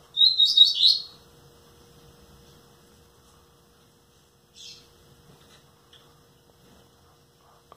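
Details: Nine-month-old captive rusty-collared seedeater giving one short burst of high, fast twittering notes at the start, followed by a single faint note and near silence over a low steady hum.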